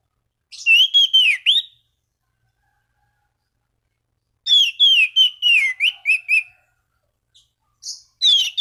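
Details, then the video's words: Orange-banded thrush singing to call rivals and stir other thrushes into song: two bursts of rich whistled phrases, each a run of rising and falling slurred notes, separated by silence, with a faint start of a third. "Anis Cendana Gacor MEMANGGIL LAWAN Pancingan burung anis lain agar berkicau"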